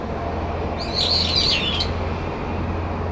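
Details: A single shrill, quavering phrase from brown-eared bulbuls disputing a cherry-tree territory in late September, lasting about a second, with a constant low hum behind it.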